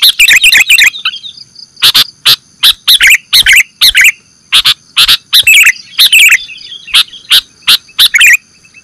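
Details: Sooty-headed bulbul lure for bird trapping: a fast chattering burst, then evenly spaced bright, bubbly chirps about every third of a second with small clusters, over a faint constant high tone.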